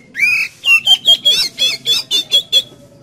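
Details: Kept-bird prompting song of an Oriental magpie-robin, full of energy: one rising slurred whistle, then a rapid series of about nine bright, similar whistled notes in quick succession before falling silent.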